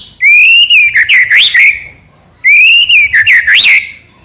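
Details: Trotol gacor singing from a white-rumped shama: two matching phrases about two seconds apart, each a clear whistle rising gently, then a fast trill of broken notes ending in an upward sweep.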